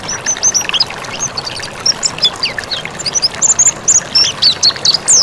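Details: Mountain white-eye (pleci montanus) song used as a master recording for training birds: rapid high, thin chirps and short whistled slurs, rising and falling, delivered in dense bursts with brief pauses over a hissy background.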